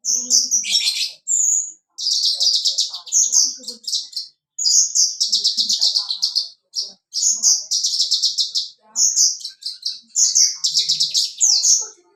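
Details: Lively song of a Javan bush lark dancing atop a rock, its voice described as crystal: long rapid high trills and rattling runs of very high notes, broken by short pauses, with faint low sounds underneath.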